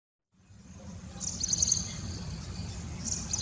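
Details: Scaly-breasted munia, a social flock-foraging finch, gives soft thin, high notes in brief clustered bursts over a steady low rumble of background noise.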